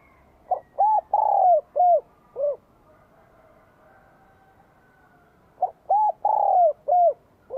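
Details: Cooing song of a Vietnamese spotted dove prized for its bell-like voice, singing hard to rouse wild doves in spring 2023: two repeated phrases of five mellow notes with a long sliding middle coo, about five seconds apart.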